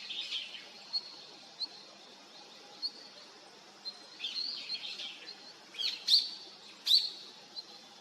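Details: Long-tailed rosefinch, a winter visitor arriving in 2023: scattered short high chirps and sharp clipped notes, irregular and spaced about a second apart, louder pair near the end over a soft rural background hiss.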